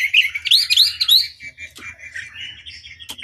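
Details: Chinese hwamei song used as a long lure recording to provoke rival birds into answering: quick loud warbled notes around the first second, then softer scratchy chatter and a sharp closing note.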